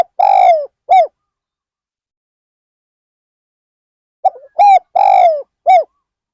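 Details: Spotted dove as a lure for wild birds, Ban Nong Hin: the tail of one phrase, then a full one, a short stuttered note, round coo, drawn-out falling coo and last coo, in a quiet setting.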